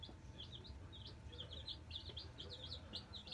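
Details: Black Australorp chicks, nine of them, just arrived in a brooder: a continuous chatter of short, high, slightly rising peeps over a low rumbling background hum.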